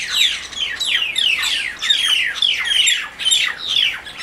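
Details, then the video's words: Mynas fighting, squabbling with harsh, rasping squawks and descending screechy notes that burst out about every half second in a steady, agitated stream. "Fight of Myna"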